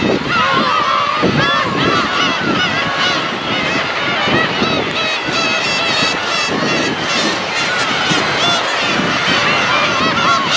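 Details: Huge flock of black-tailed gulls, described as giving cat-like nyaa-nyaa cries, produces a dense, overlapping wall of nasal mewing calls with no pauses. A possible human voice mixes into the chorus.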